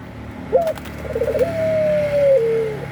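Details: Single cooing phrase from a Eurasian collared dove (puter pelung) in mating mood: a brief clipped note, a rapid stuttering burst, then a long drawn-out coo that slowly falls in pitch.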